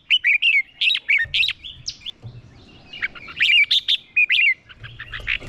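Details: Red-whiskered bulbul used as a decoy, singing its combative song to provoke wild birds: loud, bubbling whistled phrases of quick up-and-down notes, two main bursts with a brief quieter gap and faint low rumble between.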